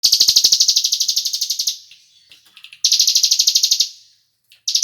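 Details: Cigun bird calling, used as a lure recording to get other birds to join in; two bursts of fast, high, buzzy pulsed trilling, the first fading after nearly two seconds, the second after a short pause.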